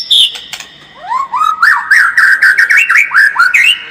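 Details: A white-rumped shama gives a lure song to make birds more combative: after a high note, upward-sweeping whistles follow in quick succession, climbing in pitch and growing louder.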